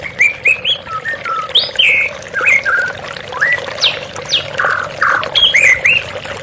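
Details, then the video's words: White-rumped shama singing over running water: a lively run of varied whistled phrases, rising slurs and short sharp notes, with a few brief buzzy bursts near the end and a steady watery rush underneath. "TERAPI MURAI BATU Stres Macet Langsung pulih _ Terapi Murai Dengan Suara Air Mengalir"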